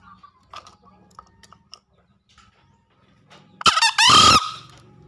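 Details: Lure call of a green junglefowl, used to prompt newly caught or reluctant birds to call: faint scattered notes and low hum, then one loud, harsh two-part crow near the end.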